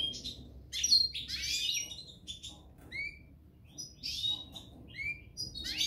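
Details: European goldfinch pair, parva subspecies, singing: tinkling, buzzy twitters and clear down-slurred whistles in short clustered phrases separated by brief pauses, over a quiet background.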